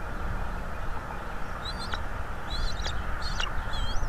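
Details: Bald eagle at its nest in North East Florida, picked up by a nest camera: a few thin, high whistled notes with short slurred chitters, scattered over the last few seconds above steady low rumble of wind and background noise.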